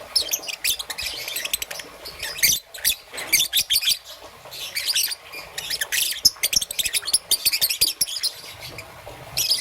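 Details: Shrill chattering chirps from a young peach-faced lovebird, green and yellow, in the morning: irregular bursts of piercing squeaks and twitters, with faint clicks between them.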